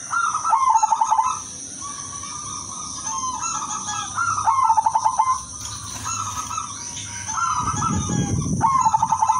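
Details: Female zebra dove of silver colour calling to attract males; repeated coo phrases with quick pulsed endings every few seconds, a brief low rumble near the end, steady high hum.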